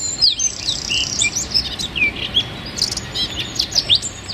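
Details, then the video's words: A wren sings dense 'tembakan' shooting-style song as a training recording for songbirds. The song is a busy jumble of very high squeaks, short sweeps and sharp clicks, packed closely together without pause. "Masteran Burung Suara Tembakan Wren Bird Suara Bren Tembakan Rapat Burung Kecil"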